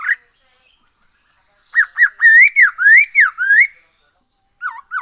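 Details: Black-throated laughingthrush song, used to coax other birds into singing. Loud, rich whistled phrases: a few short downslurred notes, then longer swooping, rising and falling whistles, with two brief dipping notes after a pause.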